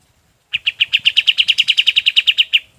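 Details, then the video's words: Golden-bellied gerygone song used to tutor other birds: about seventeen evenly spaced, bright, slightly buzzy notes delivered steadily over two seconds, with faint low background hum. "SUARA KAPAS TEMBAK"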